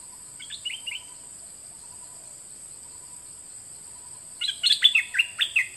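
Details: Bird known locally as nok dok taeng, recorded in 2020 as a lesson for teaching young birds to sing: a faint short chirp phrase, then a louder burst of quick, bright, high twittering notes near the end, over a steady high hiss.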